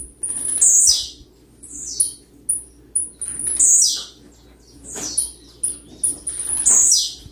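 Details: Blue-black grassquit singing persistently to provoke other birds: very high, sharp notes that sweep downward, with four louder buzzy phrases spread among shorter thin chips repeated roughly every half second to second, over a faint low background hum.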